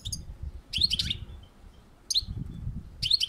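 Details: European goldfinch on a balcony giving short, high, bright chirps in small clusters about once a second, over a low rumbling background.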